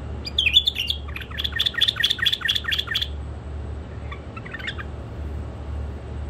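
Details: Pet bulbuls, one male and two females, held in a cage: a rapid series of bright, evenly spaced chirping notes for about two seconds, followed by softer scattered twitters.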